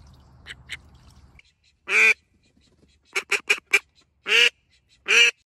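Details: Male and female pet ducks quacking: loud harsh quacks at two and four seconds, with a quick run of four shorter nasal quacks between and a final quack near the end.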